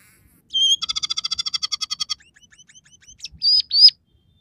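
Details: Scaly-breasted munia singing one of three stated song variations, with sparrow, red siskin and canary fills: a level whistle, then a rapid even rattle of about fifteen pulses, scattered faint ticks, and two final high whistled notes.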